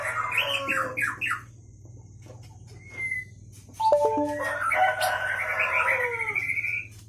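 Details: Aceh Leuser white-rumped shama from Pining, Gayo Lues, caught in 2013, singing long waterfall-like fill-ins. Quick rising whistled notes, a pause with one short whistle, then a dense burst of sliding, chattering phrases over a steady low hum.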